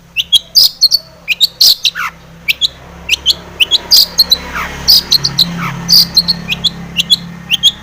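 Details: Long-tailed shrike singing vigorously, used to provoke other shrikes into singing: bright high chirps in pairs and short bursts, a few descending slurred whistles, over a faint low hum.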